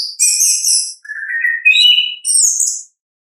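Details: Natural voice of an orange-headed thrush, offered as a lure for quiet birds: a high bright trill, then lower whistled notes stepping upward, ending in a sharp high whistle.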